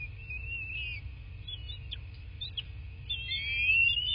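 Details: High whistled piping from a bald eagle at a southwest Florida nest, recorded by nest camera on 8 March 2024, 11:00. A slurred whistle, brief clicks, then a long rising, quavering whistle, over a soft low hum.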